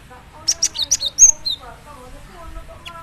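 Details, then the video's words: Java sparrow song meant to start other Java sparrows singing: a quick run of high, clicking chips and a downslurred whistle in the first second and a half, followed by quieter background sounds. "Dijamin gelatik batu lain langsung gacor dengar suara ini"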